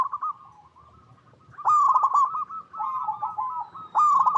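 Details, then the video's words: Wild-recorded local zebra dove, whose cooing serves to lure other zebra doves into song: soft low coos at first, then a strong staccato trilling coo, more wavering notes and a final loud burst. "Perkutut Lokal Gacor Suara Paling DiCari Untuk Pancingan Semua Burung Perkutut Agar Bunyi"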